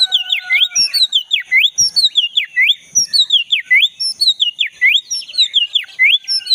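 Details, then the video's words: Wild black-breasted magpie-robin repeating a looping V-shaped whistle about three times per second in a steady, rhythmic series, played to get a silent caged magpie-robin singing; constant faint high drone behind. "Pancingan burung kacer dada hitam gacor buat kacer yang macet bunyi"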